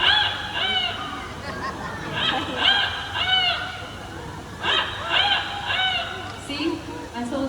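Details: Amigo, a Yellow-naped Amazon parrot at a bird show in Bird Paradise's Sky Amphitheatre, Singapore, imitates a rooster's crow on cue in loud, arched, harmonic phrases, three bursts a couple of seconds apart, over a murmuring crowd.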